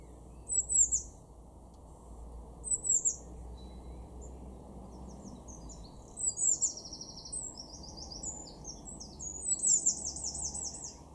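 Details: Blue tit in a garden at Weener, East Frisia, far northwest Germany, March 2024: high, thin notes given in short bursts, the later ones longer runs of rapid descending chips, over steady low background noise.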